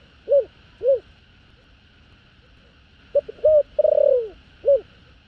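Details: Two closing notes of one thổ đồng style spotted dove phrase, then a full new phrase: short notes, a long rough descending coo and one final note. The song is used to lure wild doves, with a faint hum underneath.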